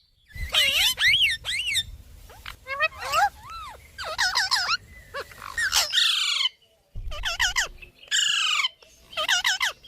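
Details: Pet Indian ringneck parrot talking: bursts of harmonic, wavering syllables with rising and falling inflections, grouped in short phrases separated by brief pauses, with a faint low background rumble.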